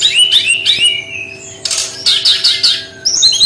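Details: Brown-chested jungle flycatcher in 'tembakan' style: rapid falling whistles, then a loud burst of scratchy notes and a quick series of punchy chirps, closing on high thin trills.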